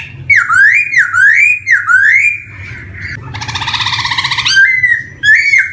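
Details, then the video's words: Black-throated laughingthrush song as a lure for young birds starting to sing; repeated rising slurred whistles, a loud harsh rasping burst, then more whistles, low hum beneath. "PANCINGAN SPECIAL BUAT POKSAY YANG BARU BISA BUNYI | GARULLAX CHINENSIS SONG"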